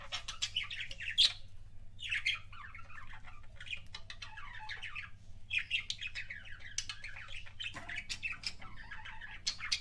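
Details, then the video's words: Pet budgerigar making kissing sounds: bursts of dense, scratchy warbling and clicking chatter, broken by short pauses near one and seven seconds, over a steady low hum. "BUDGIE KISSING SOUNDS"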